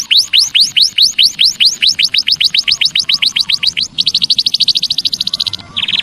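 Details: Bird-luring call of the Javan munia: a long string of clear upswept chirps that speed up, then switch to a fast, even buzzy trill and a short harsh burst at the end.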